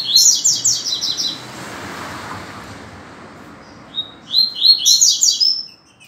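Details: Rusty-collared seedeater singing the classic tuitui song at dawn, 6:30 a.m. on 16 December 2019; two bursts of rapid, buzzy high chirping notes separated by a quiet pause, over a soft steady hiss.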